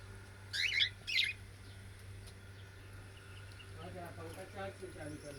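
Cockatiels give two quick bursts of bright, warbling chirps, followed by a soft low murmur.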